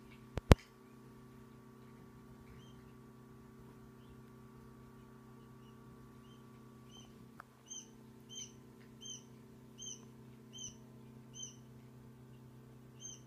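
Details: One-day-old quail chicks giving thin, high peeps, repeated roughly every three-quarters of a second in the second half, over a steady low electrical hum with a couple of sharp clicks at the start.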